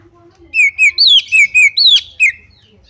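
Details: Female Oriental magpie-robin calling to draw other magpie-robins into loud singing: a burst of about seven clear whistled notes, mostly short downslurs, one higher sweeping note near the end, with a low hum underneath.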